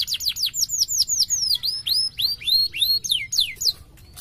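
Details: Canary song intended to lure other canaries into responding: a series of clear downward-sweeping whistled notes, fast at first then slower and more drawn out, ending abruptly.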